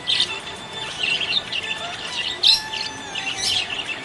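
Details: ['Happy budgie producing short bursts of bright chirps roughly once a second, with a thin sustained whistle running between them.']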